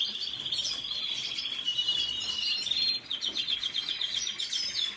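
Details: A red siskin sings a long, wheezy buzzing trill of rapidly repeated notes, broken briefly by a pause near three seconds before the buzzy chatter resumes.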